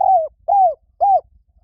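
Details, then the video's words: Three soft, rounded coos from a spotted dove, each lasting about a quarter second and curving slightly downward, evenly spaced with short silences between. "เสียงนกเขาใหญ่ เสียงดี1,000%"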